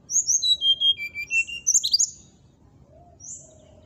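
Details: Brown-chested jungle flycatcher song to provoke rival birds: bright whistles descending in pitch, then a burst of high twittering notes, with a soft low hum behind.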